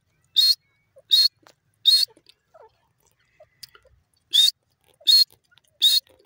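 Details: Grey francolin, called teetar locally, giving short loud grating bursts at a steady rhythm. There are three quick bursts, a pause of about two seconds, then three more, with quiet gaps in between.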